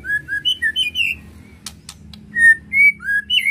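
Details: Song of a white-rumped shama, used to stir the bird's emotion: clear whistled notes, slurred up and down, in short phrases with a pause and a few sharp clicks midway, over a low steady hum.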